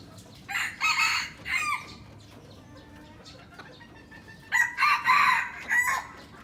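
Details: Aceh red junglefowl, a young bird used as a lure, crows twice, each crow broken into several loud harsh pulses, with quiet background between.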